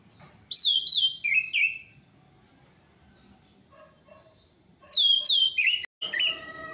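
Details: Orange-headed thrush song from a lure recording: two bursts of loud, clear whistled notes stepping down in pitch, separated by a quieter stretch of soft lower notes, with a few buzzy sounds at the end.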